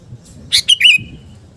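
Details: Sooty-headed bulbul, kutilang garuda type, with one short gacor phrase meant for fighting spirit: a few quick chirps sliding into a drawn-out whistled tail.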